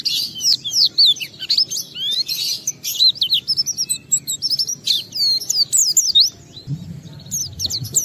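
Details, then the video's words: Oriental white-eye in rapid, emphatic song intended to stir other white-eyes into singing: continuous high warbling of quick slurred whistles and sweeping downstrokes, dense and unbroken, with faint low murmurs underneath. "Pleci Bahan Segera Ngalas Nembak dan Bongkar isian setelah diperdengarkan pleci gacor ini"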